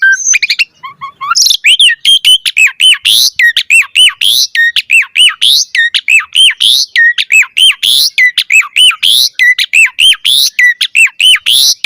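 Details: Fast, dense 'gacor mompa' song of an Asian pied starling for luring birds: after a brief varied opening, rapid arched whistles and harsh notes repeat almost without pause for ten seconds.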